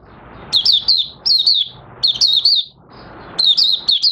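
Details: Singing Oriental white-eye (Mata Puteh Raja), recorded 30 August 2022 while its new white feathers were almost fully coloured; short, high twittering phrases come roughly every second, broken by quieter stretches of low murmuring noise.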